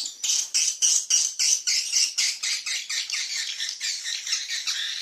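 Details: Lure call played for swiftlet farming: a steady series of rasping, shrill chirps, about three to four a second, fading slightly as the sequence goes on.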